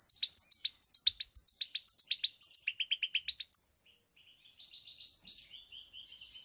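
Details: Pied European goldfinch song recorded on 7 March 2021: a quick run of about twenty sharp, high ticking notes over three and a half seconds, then a softer, lower twittering trill to the end.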